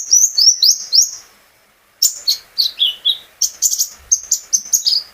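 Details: Sunbird kept by its owner, recorded directly, singing to spur other birds into song: rapid high whistled notes, some slurred downward, about four per second, with one brief pause.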